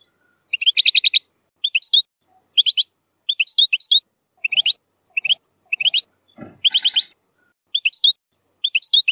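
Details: European goldfinch song in the zilzal style with strong harsh phrases, played for tutoring young goldfinches; short bursts of high twittering notes every second or so, some buzzy rattling trills, and a brief low thud near the end.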